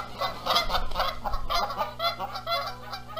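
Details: Dispute between Canada geese over incubating the eggs at Rogers Place, Charlo, Montana, in April 2022, with the male joining in noisily: dense, fast, harsh honks tumbling over each other for several seconds, backed by a low mechanical hum.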